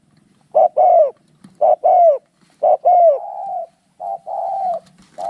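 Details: Spotted doves fighting: three loud two-note coos, short then longer and falling, about one per second, followed by softer flatter coos and a faint rustle.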